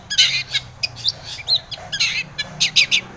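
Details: A long-tailed shrike sings as a provoking lure for other shrikes: rough, noisy chatter bursts separated by short gaps, with a few brief whistled notes mixed in.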